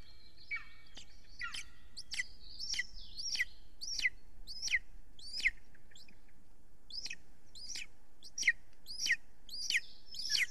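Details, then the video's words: Estonian golden eagle nest on a live camera, evening of 3 June 2020, as a very large prey item arrives. Series of shrill chirps sweep downward, some with trailing tonal notes, about one or two per second. "Kalju brings a huge prey"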